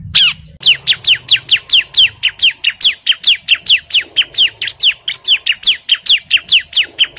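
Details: Agitated bar-winged prinia (ciblek) calling out an opponent: after a short pause, dense rapid series of high, descending whistled chips, roughly five a second, continuing evenly throughout against a quiet low hum.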